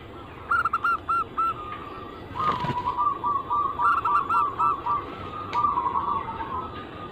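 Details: Zebra dove anggungan, a cooing song used to lure other doves to sing: a series of clipped, stuttering coos over a steady background hiss, with a brief thump midway.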